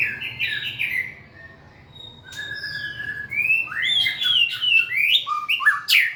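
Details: White-rumped shama giving whistled phrases: a slurred two-part opening, a pause with a thin steady tone, then rising and falling whistles and sharp high notes building toward the end.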